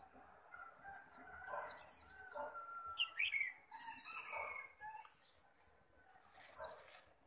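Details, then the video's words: Caged Japanese white-eye in a fierce líu singing contest aimed at a rival: a few bright, high twittering phrases a second or two apart, over lower chirps and a faint steady hum. "khuyên líu đấu căng gọi bổi"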